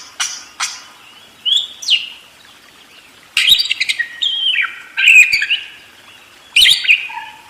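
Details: Busily singing budgerigar: scratchy, warbled phrases with sliding and buzzing notes, a few sharp clicks, and pauses between bursts.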